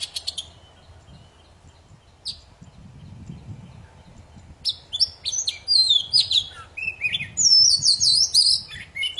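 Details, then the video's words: Poci bird singing, meant to coax silent birds back into song: a short chip, a long quiet gap with low rumbling background, then a dense rush of high slurred whistles and twittering phrases. "Suara burung poci super gacor cocok buat memancing poci macet jadi bunyi"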